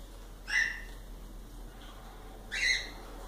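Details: Pet cockatiels kept indoors; two loud, slightly rough whistled calls about two seconds apart, each sliding downward, over a steady background hiss.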